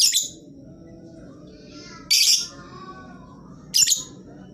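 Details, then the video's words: Lovebird sound used as a lure to prompt quiet lovebirds to call: three short, shrill, high squawking bursts, one at the start and others near 2.2 and 3.8 seconds, over a low steady background hum. "Lovebird jenis apapun dijamin pasti ikut bunyi, pancingan ampuh bagi burung yang malas bunyi"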